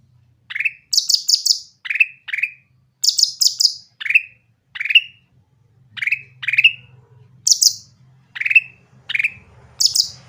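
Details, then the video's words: Lively grey-cheeked bulbul song meant to provoke other bulbuls into singing: repeated short downslurred whistles mixed with high rapid chattering triplets, delivered every second or so over a faint low hum. "cucak ranting gacor suara jernih untuk pancingan yang susah bunyi"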